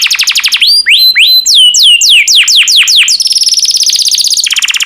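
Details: Yellow canary song mixing rising hooked whistles and deep swooping downslurs, ending in a fast, even, high trill followed by a lower buzzy trill.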